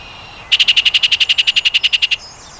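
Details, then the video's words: Yellow-breasted chat gives a quick, even run of about seventeen sharp, ringing notes, roughly ten per second, over faint background hiss. "Reinita Grande"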